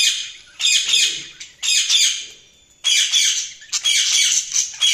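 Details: Budgies chirping loudly in repeated rasping, chattering bursts about a second long, roughly one per second, each dense and scratchy, with brief quiet gaps between.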